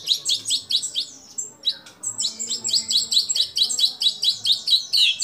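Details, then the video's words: White-rumped shama singing actively, its song filled with imitations of kapas tembak, cililin, lovebird and canary; rapid high chirped phrases repeated about twice a second, with short whistled notes and a brief pause near the middle. "Murai Batu Gacor Isian Kapas Tembak Sambung Cililin Lovebird Kenari Dll"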